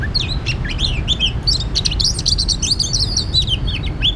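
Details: Oriental magpie-robin at a trap: rapid, busy song of high chips and bright slurred whistles packed closely together, over a continuous low rumble.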